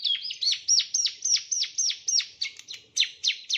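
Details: Male bar-winged prinia song used as a training recording for other birds: fast series of sharp chirps, each dropping steeply from high to lower pitch, about four per second, loud and clear against a quiet background.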